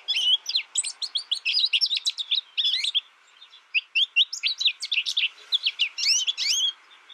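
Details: American goldfinch sings a lively series of sharp, high twittering notes in two long runs broken by a short lull near the three-second mark.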